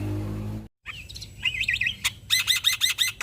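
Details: Black-winged starling male singing briskly as a lure for other starlings: a brief cut of noise, scattered whistles and a short warble, then a fast sequence of ringing, evenly repeated notes.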